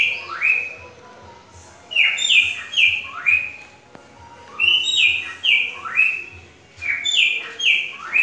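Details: Cockatiel (Nymphicus hollandicus), mimicked song: imitating a green-winged saltator's song.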